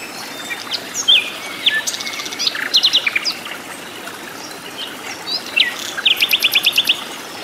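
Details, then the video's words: Sikatan londo, a flycatcher in its natural wild habitat, in full song: short whistles and clusters of rapid chips, ending in a quick series of about eight bright, evenly spaced notes. "KICAU BURUNG SIKATAN LONDO GACOR DI ALAM LIAR"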